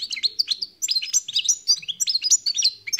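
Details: Rapid, jangling twitter of a khalwi (wild) European goldfinch, high chirps and short buzzy whistles following each other several times a second without a break.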